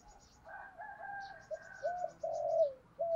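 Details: Spotted dove decoy bird in the 'giọng thổ' cooing style, practising daily to rouse wild doves: low hollow coos, one long drawn-out note among shorter ones, against background hiss and a series of faint high chirps from another bird.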